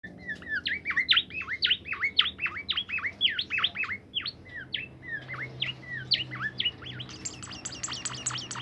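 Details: Bimoli bird singing, played so that other bimoli birds join in and sing lively: rapid, busy chirping of sharp, downward-swept and hooked notes, about two per second, rising into higher, thinner twitters near the end, over a faint low hum.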